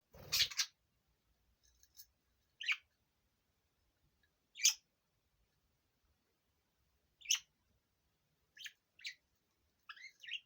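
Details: A pair of pet budgerigars, a seven-year-old male and an eight-year-old female, let out of the cage. About seven short, sharp chirps sound at irregular gaps of one to three seconds, after a brief thump at the start.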